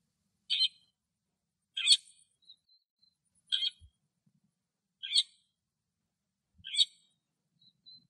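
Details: Singing lesser grey shrike in Greece: a series of five short, harsh, squeaky chattering notes, roughly one every one to two seconds, with thin faint whistles between some notes and quiet surroundings.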